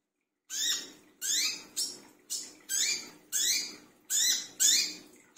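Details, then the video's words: Brown-throated sunbird calling noisily at midnight: a loud series of harsh, rasping notes, each a sweeping scratchy burst about half a second long, given back to back with a faint low rumble underneath. "burung wiceh / kolibri kelapa brisik tengah malam"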